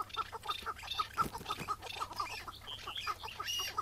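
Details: Chukar partridge in the morning during a May 2017 trap hunt, the caught bird later released. Short clipped notes repeat about twice a second, steady and fairly even, with faint higher chatter behind.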